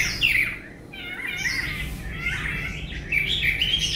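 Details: Tame Chinese hwamei with a good voice: swooping, rather harsh whistled phrases sliding up and down, with a steady low hum behind.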